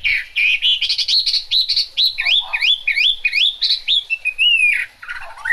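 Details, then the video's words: Chinese hwamei singing in the rain: a loud, continuous run of rich whistled phrases, with quick rising and falling slurs repeated several times, a few sharper upswept notes, and a long, clear descending whistle near the end. "Họa mi hót trong mưa"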